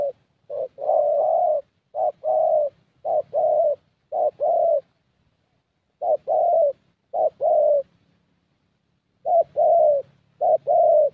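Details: A spotted dove with a fairly good voice, in a dove-luring session in Gia Lai, Vietnam, gives soft, hollow low coos in short grouped phrases of quick notes, with pauses between bursts.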